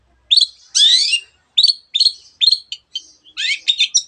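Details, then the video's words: Lively long-tailed shrike (cendet) song full of varied imitations of other birds, used as a master recording for birds that rarely sing: a long harsh buzzy burst, then a chattering string of short, sharp, clipped notes. "cendet gacor masteran untuk burung yang susah bunyi banyak varian suara burung lainya"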